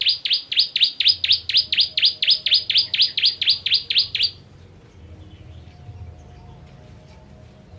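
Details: Bar-winged prinia, the ciblek kristal of Indonesia, gives a rapid, very regular string of high, descending chip notes for about four seconds, then falls silent; meant for tutoring contest birds.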